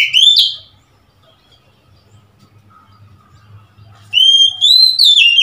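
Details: Oriental magpie-robin, 3 March 2021: the tail of one whistled phrase, over three seconds of near silence with faint low noise, then the start of another phrase of long, clear, level and rising whistles.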